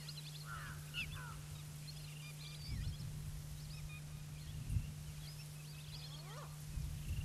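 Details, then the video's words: Lesser Whistling Duck, also called Lesser Whistling Teal, in a gregarious flock on the Brahmaputra: many thin whistled notes, rising and falling, overlapping in quick scattered bursts over a steady low hum and rumbling background noise. "Lesser Whistling Teal in a gregarious band on the Brahmaputra"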